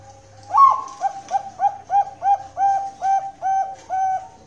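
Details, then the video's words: Bangkok-type zebra dove (perkutut) at a breeding farm in Kroya, Cilacap, Central Java, Indonesia, gives a clear cooing song: a higher opening note, then a steady run of about ten short, mellow coos, the final ones longer. "PERKUTUT BANGKOK SUPER MERDU"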